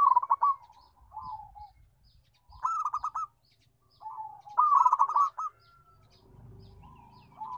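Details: Local zebra dove with a powerful voice: clipped bursts of fast pulsed cooing alternate with softer falling coos, with a faint low hum underneath in the latter part.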